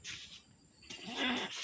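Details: A talking common hill myna gives a short, breathy, voice-like greeting that imitates a human voice: a hissy burst, a pause, then a longer raspy phrase with a low humming tone.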